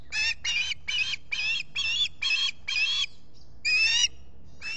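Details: At the Salt Point osprey nest, Finger Lakes, US, on a July 2021 morning, a solar camera records an osprey giving a steady series of eight loud, buzzy, harsh squawks, nearly two per second, before a short pause.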